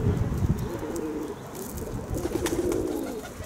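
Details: Kept pigeons cooing softly in low, muffled, rolling phrases that run through most of the recording, with some low thumping and rustling underneath.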